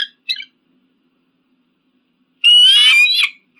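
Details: Eagle call for scaring off pigeons and crows: two short clipped notes, then a loud, harsh, rich scream lasting nearly a second and slightly falling at its end.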